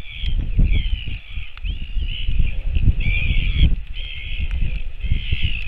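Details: Northern royal albatross feeding its chick, 28 July 2024: drawn-out, harsh nasal calls in overlapping bursts of about a second, with a few short rising-and-falling chirps, over constant heavy wind rumble.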